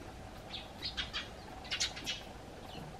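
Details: Eurasian tree sparrows on a garden bench calling to a person stepping out of the house: a burst of short, bright chirps clustered in the middle, some notes doubled, over steady low background hum.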